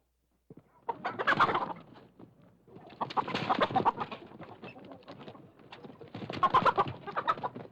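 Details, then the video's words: Chicken inside its coop about to be caught, giving three separate bursts of harsh, noisy squawking, each lasting over a second, with quieter gaps between them. "sound effect ayam ditangkap"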